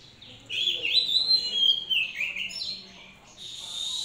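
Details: Hand-reared Oriental magpie-robin in captivity sings a flowing, varied warble of high sliding whistles, easing off and then resuming more faintly.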